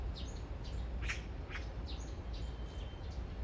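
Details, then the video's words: Magpie calling to its mate a few meters away, a love serenade: short harsh bursts in quick succession, loudest one near the middle, over steady low background rumble. "까치의 사랑(몇 미터 옆에다 두고)"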